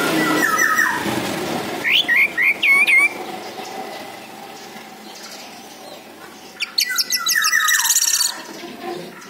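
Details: Orange-headed thrush singing, played as a lure so other birds answer: loud bursts of rapid, rich whistled and trilled notes separated by pauses, with quieter scratchy sounds between the bursts.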